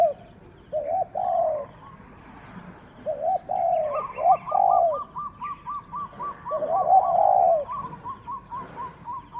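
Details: Captive spotted dove used for decoy luring gives low mellow coos in phrases, while a higher, rapidly repeated note series runs through the middle, likely another bird nearby.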